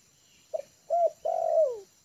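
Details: A trained lure spotted dove, comfortable on the ground in a yard, delivers one full phrase: a short note, a rising-falling coo, then a drawn-out warbling coo that slides downward at the end.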